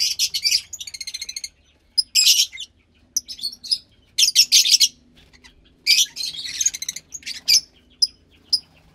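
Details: Fischer's lovebird chick about 15 days old, captive-bred from a lutino and pastel blue pair, giving high harsh chirps in short bursts, some as rapid stuttering trills, with brief pauses between.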